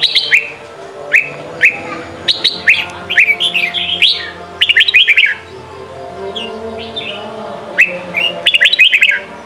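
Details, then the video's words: Red-whiskered bulbul in Sông Kon style song for training young birds: repeated loud bursts of sharp descending and rising whistled notes in clusters, separated by short pauses, with faint warbling underneath. "Chào mào hót: 35 phút Luyện giọng Sông kon mỗi ngày! เสียงฝึกลูกนก | นกปรอดหัวโขน"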